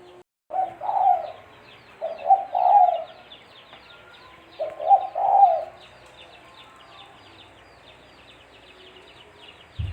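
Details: Spotted dove (tekukur) call used as a lure for trapping: low mellow cooing phrases of two or three notes, a short note then a longer drawn coo, repeated about every two to three seconds, with faint chirping of other birds behind.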